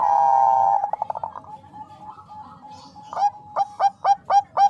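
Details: Perkutut bangkok, a female zebra dove calling to a male to raise his breeding drive: a long steady coo breaks into stuttering beats, then a pause and six sharp, evenly spaced coo notes roughly every quarter second.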